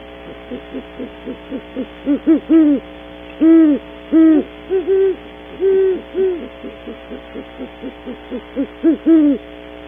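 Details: Pair of great horned owls visiting a nest cavity early in the morning at Audubon Starr Ranch, California, on a cavity camera: soft, low, rounded hoots in clusters, with short quick notes between longer hoots, over a steady electrical hum.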